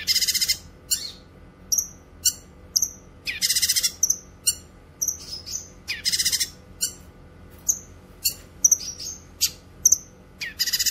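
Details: Cucak kinoy singing, for songbird training and luring wild kinoy: repeated loud rasping chatter bursts mixed with quick high whistled chips and short slurred notes, steady pace over eleven seconds.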